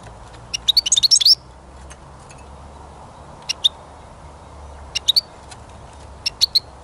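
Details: European goldfinch recorded while songbirds are caught: a brief twittering phrase, then scattered single high chirps spaced over several seconds.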